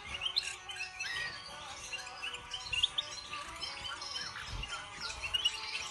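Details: European goldfinch (Carduelis carduelis) song: a fast, tinkling jumble of high twitters, trills and buzzy notes running without pause, over a faint low rumble.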